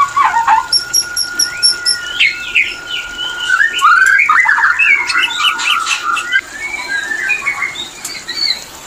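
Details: White-rumped shama mating song used as a breeding-condition lure; opens with a few whistles and a row of thin high pips, then a loud tumbling burst of rich, varied warbled notes that gradually fades.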